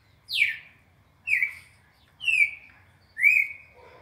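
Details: Classic four-note song of a red-crested cardinal, a training sequence for captive birds: a bright whistle sliding downward, then two level clear whistles, then a short upslurred note held steady, each spaced about a second apart in quiet surroundings.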